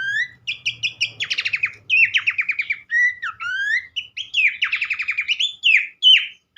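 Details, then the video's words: Horsfield's Babbler, in a recording used as therapy to get other babblers singing, gives fast varied phrases: clear rising whistles alternating with rapid buzzy trilled bursts, in a quiet room with faint low hum early on. "mesti ikutan gacor burung pelanduk semak lain dengan terapi andalan ini"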